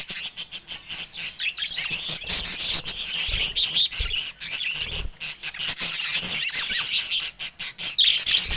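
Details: Continuous high budgerigar chatter: buzzy twittering mixed with quick clicking ticks, almost no gaps, and a few low knocks.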